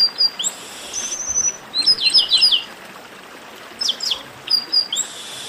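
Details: Baderna of chestnut-capped blackbirds, a flock ruckus used to get singing birds going: brief high whistles, a quick run of descending notes near two seconds, scattered sharp chirps and a pause before more whistles.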